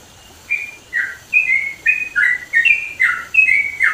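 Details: A Yellow-vented Bulbul sings a loud, bubbly run of short, slurred, mid-pitched notes, about three per second. No other sounds stand out.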